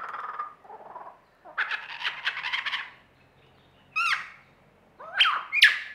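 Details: Lyrebird in Australia giving a mimicry performance: a run of varied borrowed calls, with low warbled notes, then dense chattering bursts, and finally loud sharp rising and falling whistles near the end.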